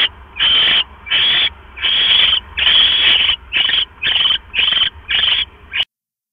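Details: Nesting owl pair late at night, the male delivering a rat and the female finishing it and returning to her eggs; a run of nine rasping, hiss-like screeches of uneven length, then an abrupt cutoff.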